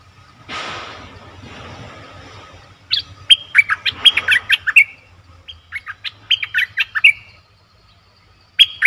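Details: Bulbul call used as a decoy to attract wild birds: after a soft rustling start, lively chattering phrases of sharp, down-slurred whistled notes come in quick repeated bursts, with a brief pause between phrases.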